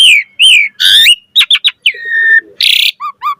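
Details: Singing Asian pied starling, puffed up in 'gacor mompa' style: rolling whistled upsweeps, a harsh buzzy burst, a run of quick notes, a long level whistle, then a scratchy rattle and soft falling chirps.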